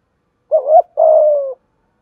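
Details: Single phrase from a spotted dove used as a training lure, thổ voice style: a wavering rising two-pulse note, a short gap, then one long even coo easing down in pitch.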